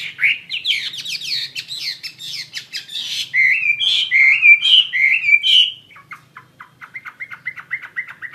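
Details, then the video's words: Chinese hwamei song mixing fast trills and clicks, then a run of loud looping whistles, ending in softer quick repeated chips; faint low hum underneath. "SUARA KICAU BURUNG HWAMEI WAMBI GACOR"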